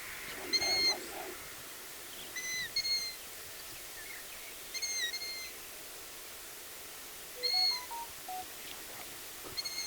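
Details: Several long-eared owl chicks, two or possibly three, heard on a BirdWatch Ireland outing, give repeated shrill, creaky-gate squeaks, five bouts over ten seconds, some doubled, with a lower, softer piping note from another bird near the end.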